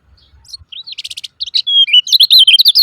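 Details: Lemon-bellied white-eye 'ciak ciak' calling used to trigger silent caged birds: scattered high notes and a fast buzzy rattle lead into a long thin whistle, then a loud string of sharp twittering chirps.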